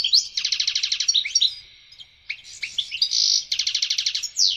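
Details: Excited European goldfinch song used to stimulate breeding in females: fast runs of repeated buzzy twittering notes, sharp rising chips and a harsh rasping burst, all high-pitched and bright.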